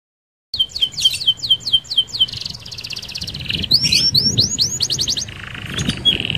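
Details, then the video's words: Canary singing a fast rolling song, used as a lure to set off other canaries: rapid series of high downslurred whistles, then a slurred rising run and a buzzy roll, over low rumbling background noise. "SUARA KENARI Gacor Roll Sped Mantap - Cocok Buat Pancingan Kenari Anda."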